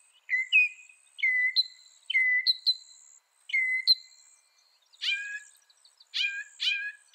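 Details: Northern mockingbird delivering a repeated slurred whistle phrase five times, then changing abruptly to harsh, broad chattering notes given in pairs. A light high background hiss runs throughout.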